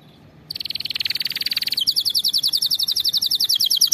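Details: Domestic canary song used to train canaries to sing correctly: after a short silence, a rapid buzzy trill of tightly repeated notes, switching near the end to a faster, brighter series of repeated syllables.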